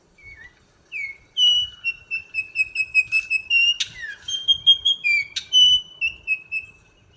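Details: A pair of Altamira Orioles visiting in the Rio Grande Valley, South Texas, gives a run of clear, steady whistled notes, about three per second, with a few harsher buzzy notes. A faint low rumble sits in the background.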